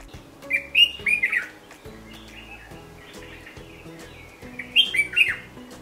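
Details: Red-whiskered Bulbul in India, a crested bird that sings from bush tops in gardens and orchards, gives two bursts of bright, warbled chirps, each about a second long and several seconds apart, over a low spoken voice.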